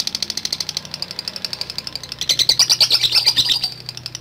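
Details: Long ngekek chatter from a lovebird: a quick stream of high sharp notes that swells into a louder, shrill trilling burst halfway through, with a faint low hum underneath.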